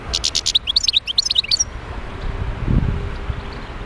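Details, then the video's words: A wild European goldfinch in Médéa sings a quick jingle of high twittering notes and short buzzes for about a second and a half, followed by quiet with faint low background noise. "تغريد حسون خلوي(المدية)"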